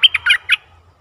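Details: Decoy bulbul luring a wild bird, 11 August 2021: a brief burst of four loud, rich, throaty chirps in quick succession, then silence.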